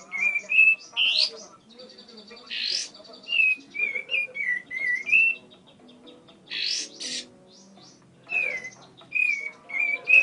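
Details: A tame bar-winged prinia sings steadily, stringing high whistled notes that waver and fall between loud rasping buzzes, in several phrases with short silences.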